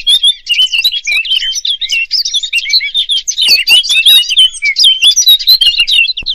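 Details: European robin song: a continuous, rapid, high warbling of thin twisting whistles and twittered notes, varied and unbroken throughout, with no other clear sounds.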